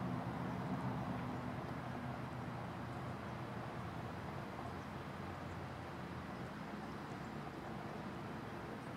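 A steady low engine-like rumble with a faint hum runs throughout, and no animal voice can be picked out.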